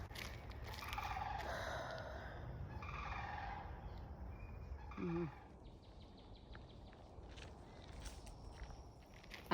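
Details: Sandhill cranes give harsh, rolling, trumpeting calls in three short bursts over steady outdoor rumble, with a faint voice behind; the speaker hears it as a scared cry, with a dog nearby.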